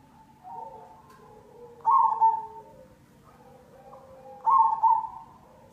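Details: Black cemani zebra dove singing as lure audio for other doves: gentle warbling coos, then two louder rippling phrases about two and a half seconds apart, quieter coos between, faint low hum beneath.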